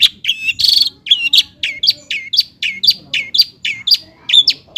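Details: Long-tailed shrike (cendet) song meant to provoke lazy birds into singing: a steady string of looping, warbled two-part notes, roughly two per second, with a brief buzzy burst near the start.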